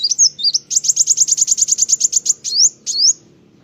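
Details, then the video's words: Energetic kolibri wulung sunbird song: a few slurred high notes, then a rapid, even trill of about fifteen sharp chirps, finishing with two drawn-out rising whistles, faint low hum behind. "Burung Kolibri wulung ( kowul ) gacor mantab"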